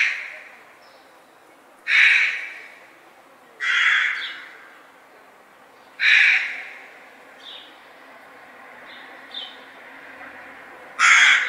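Harsh, broad crow caws at a slow, uneven pace of about one every two seconds, with fainter calls in between.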